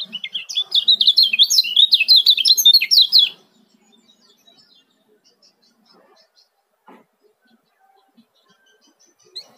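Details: Male yellow-vented bulbul from Lombok giving a fast, tightly spaced ciak call used as a lure: about three seconds of quick, high, zigzagging chirps, then near silence with faint scattered ticks.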